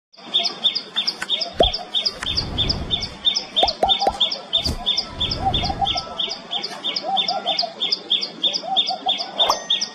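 Common tailorbird repeating sharp, high chipping notes about three per second, steady and insistent, over faint lower bird calls and a few low thumps.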